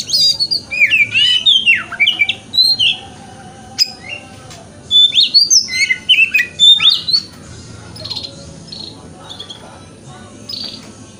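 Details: Male white-rumped shama singing in the morning, meant to stir another shama to open its tail: bursts of varied whistles, trills and squeaky notes in several phrases, then a quieter stretch near the end.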